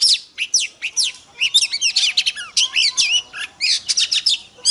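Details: Female Oriental magpie-robin calling to arouse males: a few spaced descending whistles that build into a dense chatter of looping whistles and chirps, then ease back into separate falling notes.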